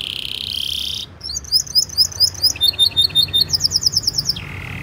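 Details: Canary 'gacor' master song for young canaries: a flat buzzy tone, then a chain of quick hooked notes and a bright rapid trill, closing with a lower buzz.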